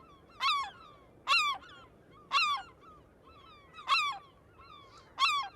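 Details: A Herring Gull in New York City, a species nesting on harbor islands and city rooftops, gives loud, nasal, falling yelps, five in just over five seconds, with fainter gull calls in between.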